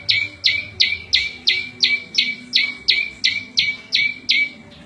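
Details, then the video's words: Rapid, regular chipping from a prenjak lumut prinia, song meant for tutoring cage birds and luring wild birds: each note slides down and ends on a held lower whistle, about three per second. "Suara Variasi prenjak lumut cocok buat masteran&pikat burung liar"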